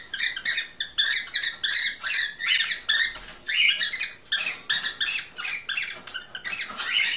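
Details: Cockatiel song used to stimulate pairing and breeding: dense, continuous scratchy chatter of quick harsh notes with bright stacked overtones, delivered in rapid clusters with barely a pause throughout.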